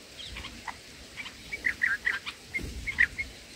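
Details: Black-headed bulbul chicks being fed in the nest: a soft, busy series of high twittering chips, rising in density midway, then a few louder notes near the end.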